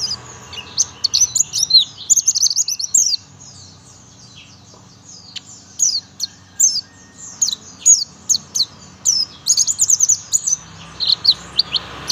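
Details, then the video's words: Young buxtoni oriental white-eye delivering a lively 'tembakan' shooting song. Dense, very high-pitched tweets and rapid twittering phrases are broken by a near-silent gap of about three seconds, then resume in quick repeated bursts. "pleci buxtomi muda tembakan mewah"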